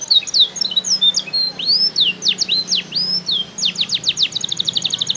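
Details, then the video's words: High-pitched canary song recorded in Pemalang, Central Java, Indonesia: swooping whistled notes and upslurs give way to fast, evenly repeated trills and rattles near the end, over a faint steady hum. "Bukan Sembarang Kenari"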